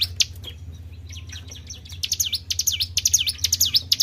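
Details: Tribel bird lure call: scattered faint high notes for the first two seconds, then a clear quick series of swooping down-and-up whistles, with a low hum underneath.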